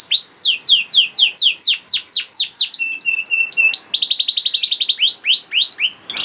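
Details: Young canary song played to prompt other canaries to sing: repeated downward-sweeping whistles, a short flat steady tone, then a fast rattling trill and more swept notes.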